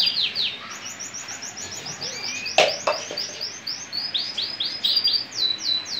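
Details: Caged male Gibber canary of the frilled French type sings a series of sharp, high downward-swept chirps at an uneven pace, interrupted by a couple of clicks or taps partway through.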